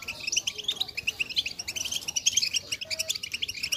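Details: European goldfinch song played to coax silent goldfinches into singing: quick high twittering chirps and trills in rapid, uneven bursts, with a faint steady tone in the background.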